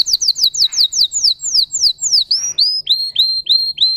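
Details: Singer canary, a bird bred for singing, delivering a series of quick downslurred whistles that shifts into slower, clear upswept whistled notes, each about a quarter second apart.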